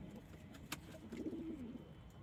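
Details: Domestic pigeons of local, Indian, Chinese and homing breeds; a single drawn-out, low, gently falling coo after a short click.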